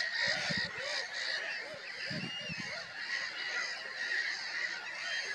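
A dense chorus of Black-headed gulls gives harsh, overlapping, rasping cries about once a second, with low thumps of wind or handling underneath.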